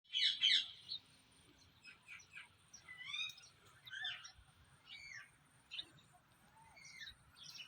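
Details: Parrot calling naturally: scattered sharp chirps and short rising and falling whistled notes, mostly high-pitched, in irregular bursts with quiet gaps, over a faint low background hum.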